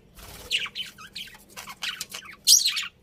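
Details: Budgerigars chattering: a string of buzzy, grating warbles and chirps, ending in a loud harsh squawk, with a low hum below.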